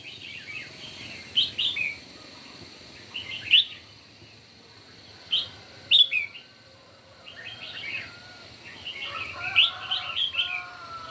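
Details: Red-whiskered bulbuls in a morning singing contest: short, bright warbled phrases of clustered notes recur every one to two seconds, with a denser, overlapping burst of phrases near the end over a quiet background hiss.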